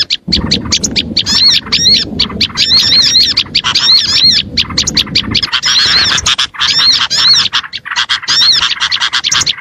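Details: Oriental white-eye song used as a lure for small birds, a dense run of high twittering and looping whistled phrases repeated steadily, with low background hum during the first half.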